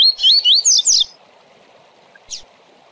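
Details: A rusty-collared seedeater giving the "Tui Tui Zel Zel" song used to train Brazilian tournament birds: a quick burst of four bright, swooping whistles in about a second, then a faint lone note, over steady background hiss.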